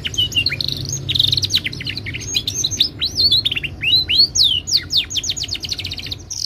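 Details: A Timbrado canary sings a continuous melodic stream of fast chirps and looping upswept and downswept whistles, with rolling trills in steady sequence and a faint low hum underneath.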